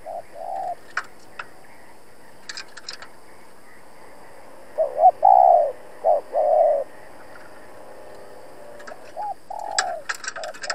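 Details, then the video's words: Decoy spotted dove used for trapping, calling to challenge and lure wild rivals: hoarse mid-pitched coos, a short note at the start, then a phrase of short and drawn-out coos near the middle and another near the end, with scattered clicks between. "Cu Gáy Mồi Cây thúc gù đấu bổi cực sung\ Cu gáy kích bổi nhanh nổi"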